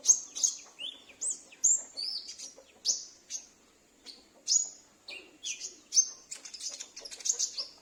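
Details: Sunbird kept at home, singing in reply to another bird and used to lure wild or escaped birds: busy high twittering with rapid whistled slurs, sharp chips and short trills, with brief pauses between phrases.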